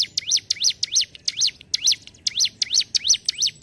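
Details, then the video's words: Short burst of ciblek gunung (hill prinia) ngentrok song: shrill, rapidly repeated dipping-and-rising chirps, slightly uneven spacing, about three per second. "CIBLEK GUNUNG GACOR NGENTROK"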